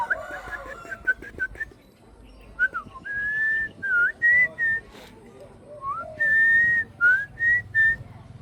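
A pet parrot gives a series of clear, pure whistled notes, some slurred upward or downward.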